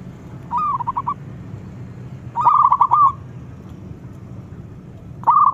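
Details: Lure bird for catching doves, a young local zebra dove in full song with a deep voice: three separate phrases of rapid stuttering coos, each about half a second long, spaced by quiet gaps with low background noise.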